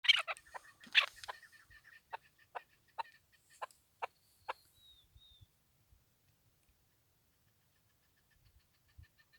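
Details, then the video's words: Chukar partridge (chakor), tagged as female, gives a loud burst of harsh chuckling, then a slowing series of sharp clucks about twice a second that fade out. "chakor birds voice awaz sound keklik sesi"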